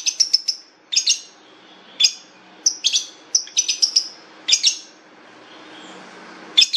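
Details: Long-tailed shrike giving bursts of high, sharp chips and brief whistled notes in clusters, with a quiet pause near the end before another sharp note.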